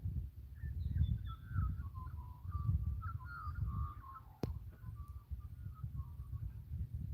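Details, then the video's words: Australian magpies warble on an Australian farm on a rainy morning after drought broke, rich fluting mid-pitched phrases rising and falling for about six seconds, over a steady low rumble of wind and a sharp click. "Can you hear the magpies warbling?"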